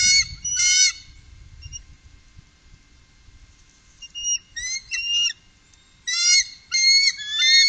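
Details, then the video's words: A trio of bald eagles calling along the upper Mississippi, 2018: short bursts of squeaky, whistled chatter. The bursts are separated by quiet gaps of one to three seconds, with light low background noise early on. "Trio Bald Eagle- Górnego Mississippi 2018"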